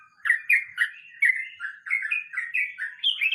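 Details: Sooty-headed bulbul in a 'ngeroll mbonang' phrase: smooth, mellow whistled notes gliding and bouncing, a few stretched longer, flowing in a brisk, continuous line.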